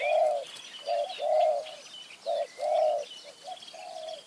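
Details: Spotted dove cooing in high mountain forest with a decoy bird set out as a lure; steady phrases of short and long mellow low coos, about one every second, over faint bird twitters.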